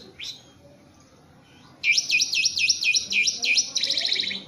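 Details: Tame caged Javan pied starling: a single sharp note, a pause, then a fast series of about eight repeated V-shaped whistled sweeps ending in a buzzy rattle.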